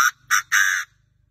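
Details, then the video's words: A Chinese francolin crowing: three loud, harsh, grating notes, two short then one drawn out, in a quick phrase, with no other sounds. "đa đa mà gáy như thế"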